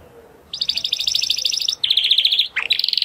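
A Spanish Timbrado canary sings fast, metallic trills, a high rapid rattle, then a lower rolling tour, a quick rising note and another bright trill.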